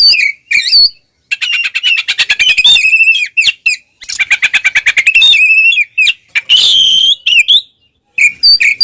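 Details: Oriental magpie-robin singing its ngeplong fighting song meant to provoke rivals, rapid buzzy rattles alternating with sharp whistled slurs and brief pauses, loud and continuous.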